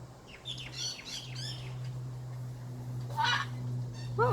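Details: Pet blue-and-gold macaw indoors while playing, giving quick descending chattering chirps followed by a harsh rasping squawk and a rising final note, over a steady low hum.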